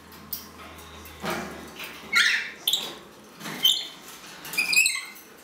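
Green-naped lorikeet giving five or six harsh, scratchy screeches mixed with thin high squeaks, in short bursts roughly once a second, in a quiet room.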